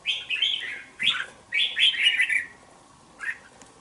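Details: Two-month-old caged red-whiskered bulbul in a bổi cage sings lively chattering phrases: a long warble, a short note, another rich tumbling phrase, then one short closing chirp after a pause.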